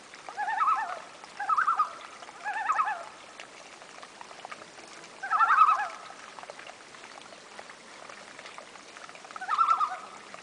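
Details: Loon family on a remote northern Saskatchewan lake in August: repeated short tremulous, yodel-like quavering calls, three in quick succession then two more spaced several seconds apart, with faint water sounds between.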